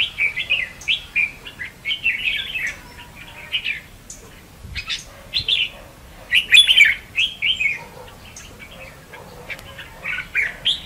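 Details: Red-whiskered bulbul contest singing as a trapping decoy; short warbled phrases of slurred whistles spaced by pauses of a second or two, with soft background noise.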